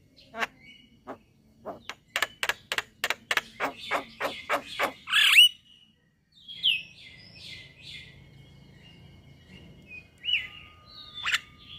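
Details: A male Javan myna with white eyes sings to prompt other mynas: an accelerating series of loud dry clicks building to a harsh burst, then quieter scattered whistles over soft background noise.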